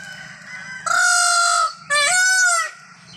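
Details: Indian peafowl gives two loud, drawn-out nasal wails, each close to a second long; the second starts slightly rising. A steady low hum runs underneath.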